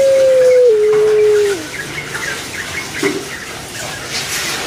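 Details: Kept Barbary dove of the puter pelung type gives one long, smooth, drawn-out coo. It holds steady, then steps down in pitch over about one and a half seconds and fades out, with faint chirps of small birds around it.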